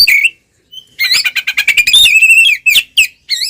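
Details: Fighting-style ngeplong song of an Oriental magpie-robin, used as a lure to provoke rivals: a whistled note, then a rapid stuttering rattle flowing into slurred warbles.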